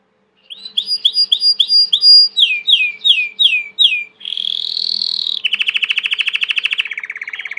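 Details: Belgian canary, a domestic bird, singing a series of repeated downward-sweeping whistled notes, then a bright sustained tone and a fast rolling trill that slowly drops in pitch.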